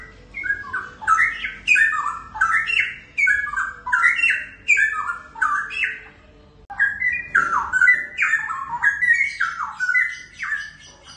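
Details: Captive young wild-caught Straw-headed Bulbuls, a DNA-sexed male and female, pour out strong bubbling whistled phrases. Rapid notes swoop and tumble in repeated bursts of about a second, with a brief break near the middle.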